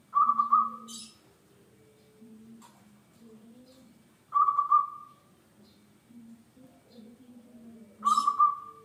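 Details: Local zebra dove in full song, played as a lure to get other birds singing: a bright, rapidly pulsed mid-pitched coo phrase repeated about every four seconds, three phrases, with short high chirps after each and a low steady hum beneath.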